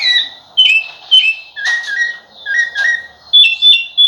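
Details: Sabiá-laranjeira, the rufous-bellied thrush, giving fluty whistled phrases with sharp sliding notes, about seven bursts in four seconds, with a soft hum behind.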